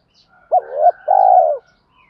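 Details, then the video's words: Lure coo of a spotted dove, used to excite wild doves into cooing: a brief rising-and-falling opening note, a short gap, then a drawn-out, loud, slightly rough coo ending in a downward slur. "chim cu gáy thúc kích bổi rất xiêng gáy, tiếng gáy gọi dúp bổi nghe xong có hứng gáy theo liền"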